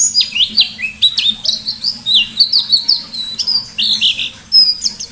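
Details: Chatty pleci white-eye singing 'ngalas' style with sharp 'nembak' notes as a lure: lively, varied high warbles, rising and falling slurs and clipped whistles in a busy continuous stream, soft low hum.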